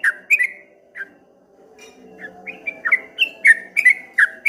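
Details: Whistled ropel ngombak banyu song from a streak-eared bulbul: a few scattered notes, a short gap, then a quickening series of loud rising-and-falling whistles.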